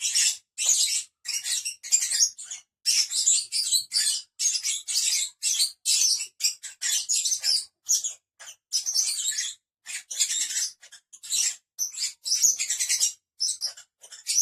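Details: Pet lovebirds, five together, keeping up shrill rapid chirping and squeaky chatter for the whole stretch, notes tightly packed with brief gaps.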